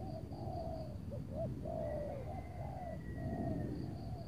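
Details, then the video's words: Spotted dove calling at a luring site near Tangerang, Indonesia, on a cloudy pre-rain afternoon; a few drawn-out low coos and short notes against strong low-frequency background noise, a thin high whistle-like tone and insect hum present. "memikat tekukur tapau sibongsor suara besar"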